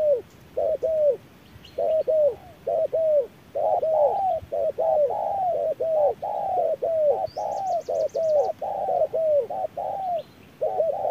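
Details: A wild spotted dove challenges an electronic decoy under harsh noon sun with long runs of mellow double coos, overlapping and dense at times and almost unbroken. A brief high trill sounds near the end.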